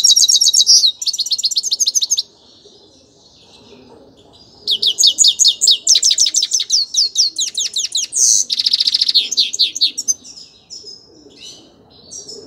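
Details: Grey-crowned goldfinch song: bright, high twittered phrases with quick rising and falling notes, a short pause, then a long run of rapid repeated chirps and buzzy trills that fades into softer, scattered notes.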